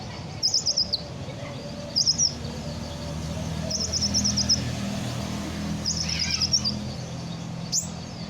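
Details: Sunbird freshly out of moult, kept as a hobby songbird, giving sharp high-pitched trilled bursts, some ending in a downward slur, separated by gaps of one to two seconds, with faint low hum behind.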